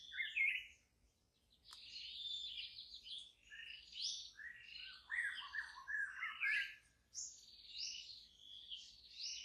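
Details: In the forest a wild white-rumped shama sings a quiet, rambling sequence of varied high chirps, slurred whistles and warbles, broken by short pauses.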